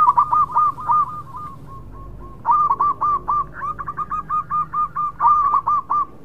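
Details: Local zebra dove delivering continuous cooing song: repeated runs of soft, rounded, rapidly pulsed notes at one pitch, some runs overlapping, with a quieter lull midway and a low background hum.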